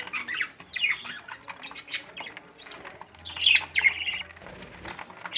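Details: A pair of pet budgerigars (Melopsittacus undulatus) at home in Agra, India, chatter with rapid, scratchy warbles and chirps, high-pitched and continuous.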